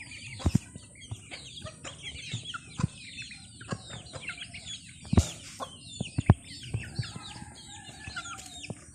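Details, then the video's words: Feeding chickens produce dense, overlapping high peeps with wavering, down-slurred notes, while irregular pecking clicks and thumps sound about once a second. "Funny Chicken Eating || Funny Chicken Sound"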